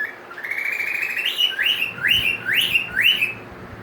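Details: A recently adopted pet cockatiel whistles a run of clear, sharply rising notes, apparently mimicking tropical birds heard at the store, the first time the owner has heard this.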